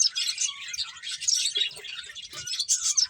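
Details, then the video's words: High, sharp tweets from a group of finches as they eat, a rapid, irregular chorus of overlapping chirps with a few brief lower notes mixed in. "Cute Birds Chirping Sounds | Beautiful Finches Eating"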